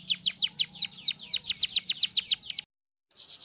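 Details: Chatty canary singing to teach young canaries: a rapid string of about fourteen bright, downward-swooping whistled notes, then a sudden stop.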